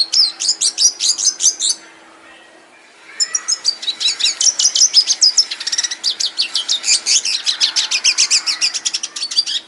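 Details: Captive red siskin in an aviary: an opening burst of quick high chirps, a silent gap of about a second and a half, then a long twittering run of rapid notes and buzzy trills.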